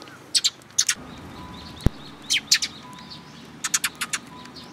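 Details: Sparrows at a Tenmangu shrine, 22 May 2022, arriving to be fed; short clusters of two or three bright, high chirps repeat every second or so, with a single sharp knock partway through.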